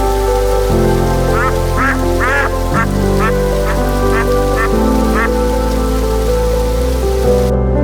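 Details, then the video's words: Duck quacking: roughly eight short, nasal, harmonic quacks in a quick, uneven series, set against loud, steady background music. "Cute Animal Sounds: Horse, Buffalo, Goat, Rabbit, Cat, Dog, Duck, Elephant"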